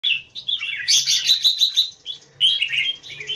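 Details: Caged red-whiskered bulbul kept as a personal bird in an open-tail keke square cage, Singapore style, singing a rapid run of bright chirpy warbles with sharp high notes, broken by short pauses, over a low background hum.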